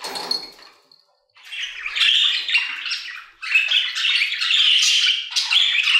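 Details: Aviary budgerigars sing a chattering warble; a thin squeaky note opens, then brief quiet, then bursts of scratchy twittering and chirps run to the end.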